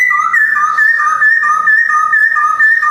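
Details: Captive male Black-throated laughingthrush, white-cheeked form, Jogjakarta, 2021, holding a loud, pure whistled phrase that wavers between two pitches without pause for several seconds.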